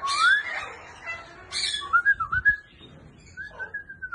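Grey parrot giving clear rising whistles, two harsh rasping bursts, a quick wavering run of notes and a long level whistle to finish.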